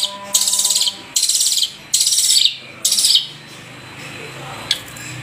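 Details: A Madura long-tailed shrike, recorded for song training, gives four harsh, raspy, high-pitched bursts, each about half a second long and roughly a second apart, over a faint low hum.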